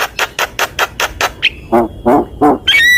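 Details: Javan myna song: a run of harsh, evenly spaced broadband bursts about five a second, then a thin whistled note and lower, buzzy harmonic squawks, ending in a sustained tonal whistle.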